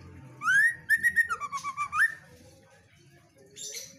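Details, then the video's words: Female white-rumped shama singing with a balak 6 motif in ngeplong style: one rising whistle followed by about eight evenly spaced, pulsing whistled notes sliding downward then up, and faint noise afterward. "MB betina GACOR sampai AKHIR"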